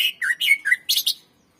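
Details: Greater green leafbird 'gacor' song, used for training other birds: a quick phrase of warbled, dipping whistles followed by two sharp high chirps.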